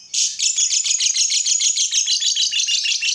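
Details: Lovebird singing to provoke other lovebirds to sing, a continuous rapid chatter of high, scratchy, trilled notes pulsing several times per second for about three seconds.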